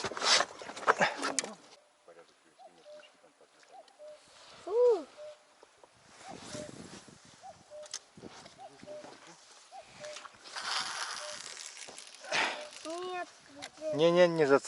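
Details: A common cuckoo gives soft two-note 'cuck-oo' calls, falling in pitch and repeated about once a second, during a fishing outing. Men's voices, splashes and other knocks are heard.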